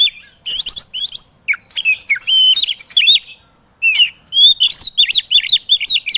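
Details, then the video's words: White-rumped shama, a training recording used to make lazy birds sing: rich, varied whistled phrases with sharp upslurs and rapid chattering notes, broken by short pauses, loud and close. "MASTAERAN BURUNG KACER EMOSI"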